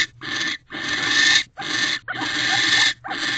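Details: An owl pair in a nest box mates at 6:18 pm on 20 December 2023 after the male hops across the perch into the box, giving harsh, hissing screeches: four bursts of about a second each with short breaks.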